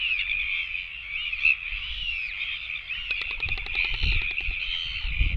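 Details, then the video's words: A royal albatross chick begs for food with a sustained, wavering whine, then a run of rapid dry clicks for about two seconds, over light wind noise. "other chicks come begging for food"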